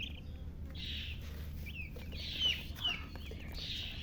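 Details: Young chicken chicks chirping in short high bursts and a few quick falling peeps, with gaps between, over a steady low background hum.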